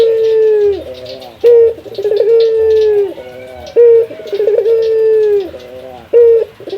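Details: Male local Barbary dove (puter) calling a rival: a long, steady, slightly falling coo, then a short rolling stutter and a brief clipped note. The pattern repeats about every two and a half seconds, with faint background clatter.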